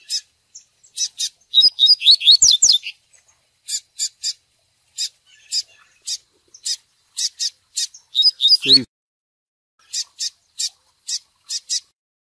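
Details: Fiery double-collared seedeater delivering "tui tui" song for training. It uses cascading downslurred whistles and many short sharp high notes spaced about half a second apart, with one brief low slurred sound near the end.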